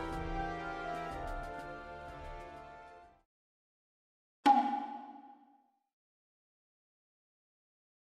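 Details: A short chiming musical phrase fades out, then one struck bell-like tone rings and decays into silence, with no animal voice.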